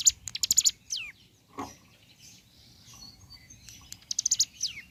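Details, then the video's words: Ciblek gunung in morning song: sharp high buzzy notes and a descending whistle, a short knocking sound, a quiet stretch, then another burst of rapid high buzzes ending in a falling whistle. "Suara Asli Ciblek Gunung Gacor Pagi Hari"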